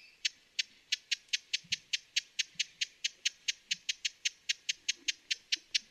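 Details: Broad-billed hummingbird calling with a long, regular series of brittle tick notes, about four per second, over light background hiss.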